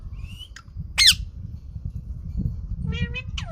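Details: Green parrot making a mix of sounds: a rising whistle, a loud harsh squawk, then a cluster of buzzy, nasal chattering notes, over steady low background noise.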